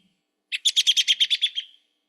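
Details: American robin whinny, an alarm and social call between robins: a quick run of about ten sharp, high chirps, fading toward the end, like a tiny horse's whinny.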